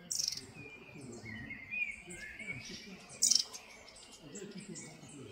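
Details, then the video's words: Long-tailed tit (Aegithalos caudatus) at Ribniki in the Drava valley on 26 May 2024, giving thin, high sibilant calls in two short bursts, with faint buzzy trills between, over a quiet background hum. "Aegithalos caudatus DOLGOREPKA"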